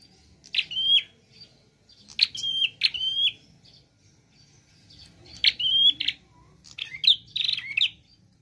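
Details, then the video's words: Prinia in 'gacor' varied song: strong click-led high whistles in spaced groups, ending with a tighter burst of rapid, jumbled notes. "Prenjak Klawu Gacor Variasi Nembak"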